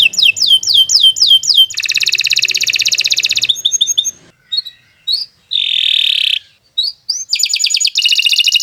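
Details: Canary song meant for tutoring other birds: a run of repeated downward-sweeping notes, then a fast buzzy trill, scattered short whistles, a steady tonal note, and another rapid trill.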